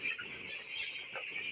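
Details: Winter-reared broiler chicks chirp together in a busy, high, twittering mass; a couple of slightly lower individual peeps rise briefly above the steady chorus.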